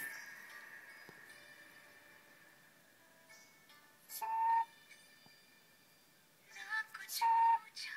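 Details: A pet lorikeet named Polly whistles a few clear, steady mid-pitched notes of the Bollywood song 'Tujh mein rab dikta hai' from the film 'Rab Ne Bana Di Jodi', about two short phrases in eight seconds, over faint background music.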